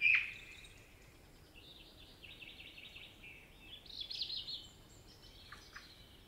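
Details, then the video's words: Common blackbird singing in a forest in Spain: a sharp opening note, then soft, slurred mellow whistled phrases that rise to a brighter warble near the end, set against a quiet background hiss. "Common Blackbird Song & Calls - The sounds of a blackbird singing in a forest"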